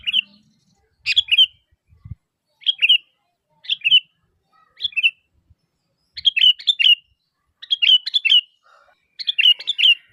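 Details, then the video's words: Sooty-headed bulbul calling actively, used as a lure so other bulbuls will answer; bright, bubbly chirped phrases of two to four quick notes, repeated roughly every second with short pauses, in an otherwise quiet background. "Suara Asli Kutilang Gacor Memanggil, Kutilang Pasti Nyaut"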